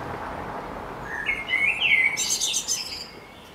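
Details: Great tit in a garden, 11 May 2014: a short, rising whistled phrase flows straight into a dense burst of high, rapid chattering notes.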